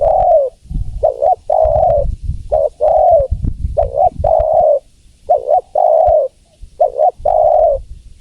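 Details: Cooing of a female spotted dove summoning a male. Paired short notes are each followed by a longer level coo, cycling steadily, while deep low-pitched background noise runs beneath much of it.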